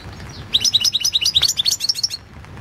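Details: A European goldfinch sings a competition song entered in the 2016 goldfinch world championship: a fast run of about fifteen high, jingling, upward-flicking notes lasting roughly one and a half seconds.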